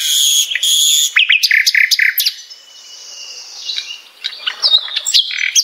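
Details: Common nightingale song used to tutor caged birds: a loud, harsh, buzzy opening, then a run of rhythmic clipped notes, a quieter gap and a final scatter of chirps and whistles.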